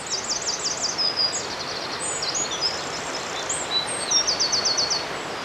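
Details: Male wren singing loudly in woodland at Dare Valley Country Park, Wales, to attract a mate; high, rapid trills and sharp repeated notes in fast bursts, with a steady background hiss.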